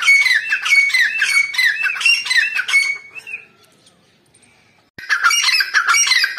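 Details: Calling of a female grey francolin (teetar), 29 November 2022: loud, harsh, rhythmic ringing notes in fast succession, fading into a short quiet gap, then resuming abruptly just as intensely.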